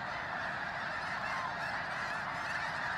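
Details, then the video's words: A massive snow goose flock gathers before sunrise at Bosque del Apache near San Antonio, New Mexico, as newcomers land among resting birds. Countless honking voices overlap in a thick, constant din. "Snow Geese Surprise Pre-dawn Fly in!"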